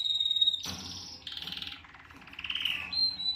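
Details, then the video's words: Canary voicing a steady pure whistle, then harsh buzzy rattles and a rasping wavering note, returning to the clear whistle. "Canary mating or fighting?"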